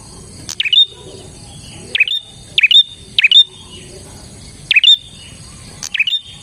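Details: Chattering gacor song of a bar-winged prinia, meant to draw in other prinias: seven bright, emphatic chips in small clusters, each a quick downward snap with a rising flick, separated by short silences.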